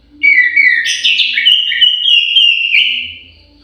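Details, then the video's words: Aviary-kept orange-headed thrush singing a rich, loud warbled phrase of about three seconds, with quick rising and falling notes that settle into a steady clear whistle before fading. "KICAU MERDU BURUNG ANIS MERAH"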